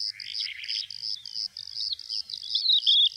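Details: Calandra lark singing: a fast run of varied chirping and warbled notes, some rising and falling, with a bright whistled phrase near the end, over a steady pulsing insect buzz.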